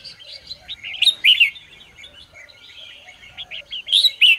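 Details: Red-whiskered bulbul singing in the morning, in training to sing: bright warbled whistled phrases around a steady chattering background, with loud clear bursts near one second and again near four seconds.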